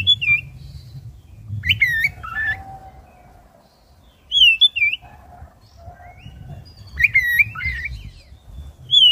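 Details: Caged black-breasted oriental magpie-robin singing at length as a lure to get other birds singing; wavering whistles, sharp ticks and slurred downward notes in spaced bursts, with faint low whistles and a background rumble.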